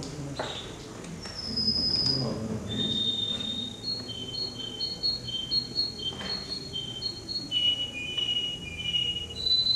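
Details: Male canary singing in a canary competition in Rostov-on-Don, Russia, on 22 January 2011: high whistled notes, then sequences of rapid rolling trills shifting between pitches, over a noisy hall background.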